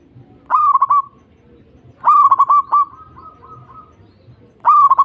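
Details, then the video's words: Perkutut, or zebra dove, singing as a lure to get other doves singing: three bright cooing phrases, each starting with a sharp rising note, then rapid stuttered beats and a drawn-out fading tail, over quiet low background hum. "Pancingan Perkutut Obat Manjur Pandai Bikin Nyaut Bunyi"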